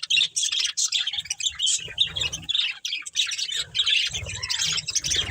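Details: Budgerigars of a breeding pair kept as pets, chattering: busy high twittering and scratchy chirps in quick bursts, some short rising whistled notes, with intermittent low thumping rumble underneath.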